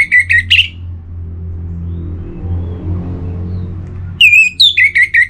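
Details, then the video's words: Orange-headed thrush in Singaraja, North Bali, sings in breeding condition to call a rival. A quick trio of sharp whistles comes first, then a long lull with low rumbling, then another rapid string of shrill, slurred whistles. "ANIS MERAH Gacor Pancingan Birahi & EMosi Burung || Kicau memanggil lawan"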